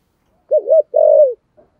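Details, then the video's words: Single deep phrase from a spotted dove in 'thúc gù' style with a 'thổ sấm' voice: a quick undulating double note followed by a long, slowly falling coo. "cu gáy giọng thổ sấm thúc gù quá hay"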